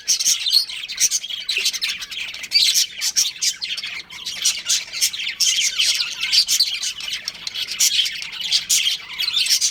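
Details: Pet budgerigars, a breeding pair, chattering nonstop: busy high twittering mixed with harsh squawky notes and quick buzzy chirps in uneven bursts.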